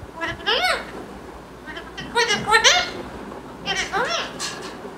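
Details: Three bursts of wavering, chevron-shaped vocal sounds from a pet green talking parrot, spaced roughly one and a half seconds apart, rich in overtones, recorded indoors.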